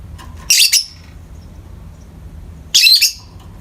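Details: Peach-faced lovebirds, two pet birds, calling in the morning light: two short harsh chirping bursts, the first at about half a second and the second near three seconds, with quiet room background between.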